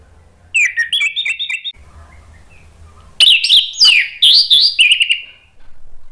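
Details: Orange-headed thrush singing loudly and freely, used as a lure to prompt a silent bird to answer: a short run of bright whistled notes, a pause, then a louder burst of rich, varied, slurred phrases with sharp high accents.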